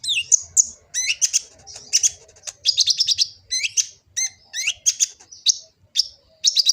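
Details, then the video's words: Song of a kolibri ninja sunbird, Gresik, East Java, phone-recorded as training material for other birds. Dense run of high, thin tweets and rising-falling slurs, delivered in tight clusters with brief pauses, and a soft low hum behind. "Kicau burung kolibri ninja full isian"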